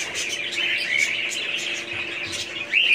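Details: Budgies keep up a continuous warbling chatter of soft chirps and squeaky twitters, ending with a louder rising whistled call; a faint hum runs throughout.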